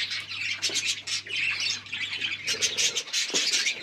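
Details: Lovebirds squawk and chatter constantly while mating: rough, high, scratchy notes packed tightly together with only brief dips, and a low mains hum beneath for the first half.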